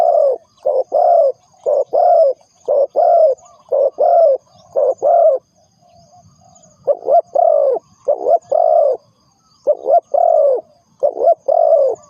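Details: Decoy call of a spotted dove for luring birds into traps: repeated phrases of short coo notes ending in longer rolling croos, with one brief gap of quiet midway, steady and low-pitched throughout.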